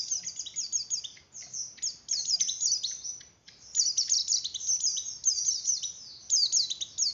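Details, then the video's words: White-eye breeding-arousal song ('ngeleper' style) used to stimulate other white-eyes: continuous, rapid, high-pitched chirruping with falling slurs, a dip in volume around the middle, and faint low background rumble throughout. "Suara Pleci Oper birahi Cocok Untuk Menaikan Birahi Pleci"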